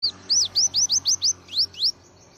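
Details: White-eye singing in the morning after its bath, a run of eight high, clear notes that swoop downward, each sharply separated, delivered quickly over about two seconds against a quiet background.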